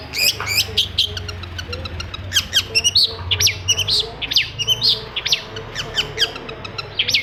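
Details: Long-tailed shrike song intended to get silent shrikes singing day and night: energetic string of sharp, high chirps and squeaky slurred whistles in irregular bursts over a steady low hum.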